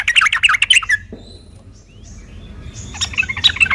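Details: Yellow-vented bulbul singing aggressively as a lure to make other bulbuls respond; a quick burst of harsh, warbled chatter opens, silence with a faint low rumble follows, then the scratchy chattering returns at the end.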